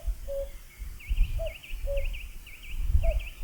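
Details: Common cuckoo (Cuculus canorus), call.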